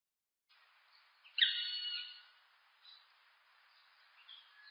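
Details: Black woodpecker giving a single drawn-out, harmonic-rich call, slightly nasal and steady, after a quiet start, followed by a few faint soft notes.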